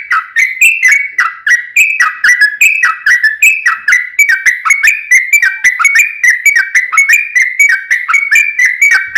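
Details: Yellow-vented bulbul in continuous 'ropel panjang' rapid song meant to make other bulbuls respond; unbroken run of fast, bubbly, slightly descending notes throughout.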